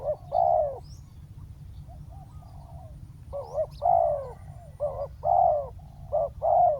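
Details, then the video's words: Decoy spotted dove luring a wild bird to the ground, giving a run of mellow coos: quick clipped notes alternating with drawn-out falling ones, a quiet gap, then a dense burst of several phrases over low background rumble. "เสียงนกเขาใหญ่ ต่อ นกเขาใหญ่ EP9 นกเขาใหญ่ต่อดิน"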